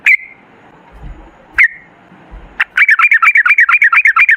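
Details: Sooty-headed bulbul in energetic 'gacor ropel' mode, a lure to draw bulbuls into singing: two lone sharp, falling chirps, then a fast continuous run of bubbly, warbled notes rising and falling.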